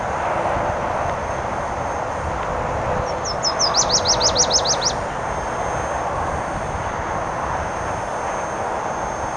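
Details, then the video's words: A Nashville Warbler singing on territory along the Clark Fork River near the Kim Williams Nature Trail, Missoula, Montana, in riverine and upland habitat, gives one brief high song: thin opening notes, then about eight quick sweeping chips, over engine drone. "Nashville Warbler Singing"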